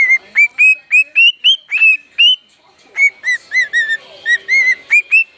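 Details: Pet male bird singing indoors: a fast run of clear whistled notes, each a short upswept chirp, about four per second, with a brief pause midway before the series resumes slightly lower and more varied.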